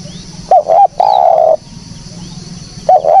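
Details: Spotted dove call for luring: a paired, hollow double coo followed by one long flat coo, a gap with low background hum, then another double coo starts.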